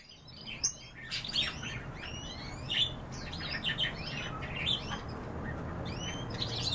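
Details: Several kept canaries chirping and singing together: scattered high, sweeping whistled notes and short chirps in irregular bursts over a low steady background hum.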